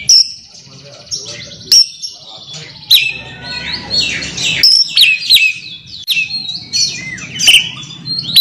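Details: Oriental magpie-robin calling a rival, giving loud whistled and chattering phrases, sharp clicking onsets followed by sliding high notes, delivered in rapid irregular bursts over a faint low hum.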